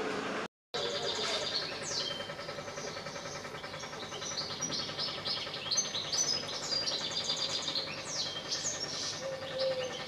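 European goldfinch singing a long, fast, tinkling twitter of high liquid notes and buzzy trills, almost without pause, over a steady low hum.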